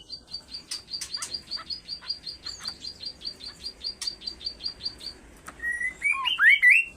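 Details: Kaso-kaso bird in insistent calling: a steady string of short high chips, about three per second, ending in loud looping upslurred whistles over the last second and a half.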